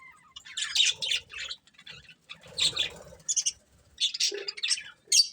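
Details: Budgerigar breeding pair chirping: bright squeaky notes and grating little squawks in short phrases, separated by brief silences, with some soft rustling beneath.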